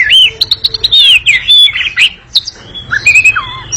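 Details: Brief stretch of lively ngekek song from an Oriental magpie-robin: rolling whistled slurs and rapid chips, ending in softer downward whistles.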